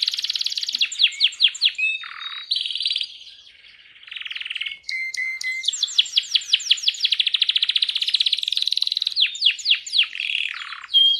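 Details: Canary held in the hand, singing a long varied song: rapid trilled series and repeated chirping phrases, a low rolling section, buzzy notes and fast rattles mostly high-pitched, with clear whistled notes near the end.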